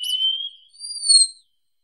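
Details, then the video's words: Wallcreeper (Tichodroma muraria) singing two thin, pure whistles, the first drawn out and gently rising, the second higher and brighter, with no other sounds. "Как поёт Стенолаз (Tichodroma muraria)"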